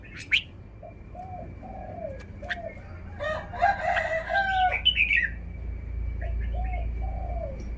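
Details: Caged red-whiskered bulbul showing off its song phrasing: a burst of bright, warbled, chattering notes in the middle, with a lower, slurred call repeated in the background, a steady high whine, and low rumbling noise.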